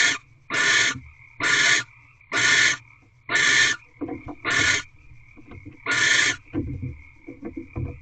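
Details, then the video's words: Barn owls during mating in a Corral owl box after midnight, February 24, 2023: a series of seven grating, noisy screeches about a second apart, followed by scattered scratching and tapping sounds. "Barn Owls Mating"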